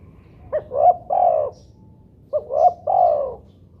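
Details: Spotted dove playback for drawing out other doves' calls: two matching three-part coo phrases about two seconds apart. Each is a soft short note, a rising middle coo and a long gently falling final coo.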